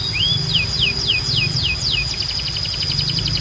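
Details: Canary song over a low hum: one rising whistle, then a row of steep downslurred notes about every third of a second, then a fast, softer trill of tiny repeated notes.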